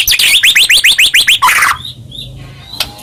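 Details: Singing white-rumped shama used to agitate other shamas: a quick volley of about ten loud upslurred notes, then a few faint, thin whistles.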